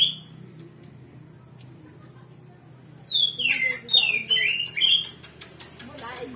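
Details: Oriental magpie-robin singing to provoke a rival into fighting: a brief whistle, a quiet gap, then a burst of loud downslurred whistled phrases, followed by a train of rapid ticking clicks.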